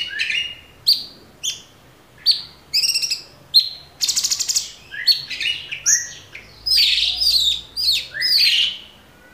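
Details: Caged Orange-bellied Leafbird, 'tembakan' master song: clipped descending notes spaced about half a second apart build into buzzy bursts and a loud, mixed, chattering finale.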